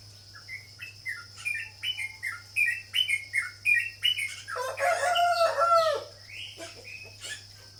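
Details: Sooty-headed bulbul (cucak jawa, trucuk) giving spaced short bubbly phrases that build into a louder, fuller, jumbled burst before trailing off. A low steady hum is present.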